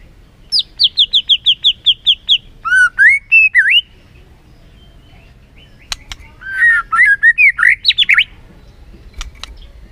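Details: White-rumped shama song played as a lure to stir a lazy bird into full song: a series of about ten quick descending whistled notes, rich varied warbles, a pause, then more looping whistles and rapid repeated phrases.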